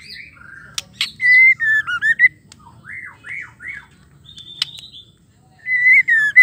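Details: Female white-rumped shama calling to make males sing. Whistled slurred notes, a short series of three arched chirps, a mid-clip pause, then a clear whistle with rapid notes at the close.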